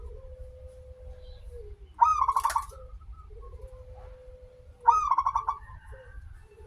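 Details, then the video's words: Local zebra dove singing, used as a lure to encourage other doves: two phrases about three seconds apart, each a high sharp note and quick bubbling coo series, one with a brief noisy burst, linked by a long low flat tone. "perkutut lokal gacor suara awal panjang, pancingan perkutut agar bunyi"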